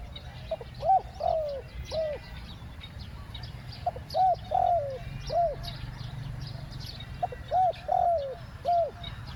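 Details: Decoy spotted dove luring wild doves, repeating its two-note 'ku-ang' coo style: three phrases of arching mid-pitched coos, each phrase three or four notes with a longer wavering middle note, over soft steady rumble and faint high chirps.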